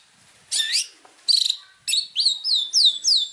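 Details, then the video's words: Long-tailed shrike tutor recording for training other birds. A scratchy burst and a buzzy trill lead into a run of clear, high, downward-slurred whistles repeated rapidly. "PANCINGAN MASTERAN BURUNG CENDET | FULL ISIAN MEWAH"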